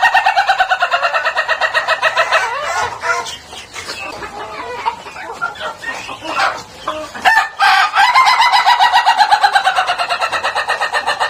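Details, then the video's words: A laughing chicken (Ayam Ketawa) rooster crows in long runs of rapid, chuckling pulses, about three per second, like cackling laughter, with a brief noisy break midway. "Sound of a Rooster Laughing Compilation (Suara Ayam Ketawa)"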